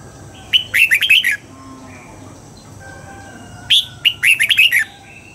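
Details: Red-whiskered bulbul being trained to sing at dawn in the double-note wild style. Two lively phrases, each opening with a sharp note and then a run of quick, liquid, bouncing whistles. A quiet pause separates them.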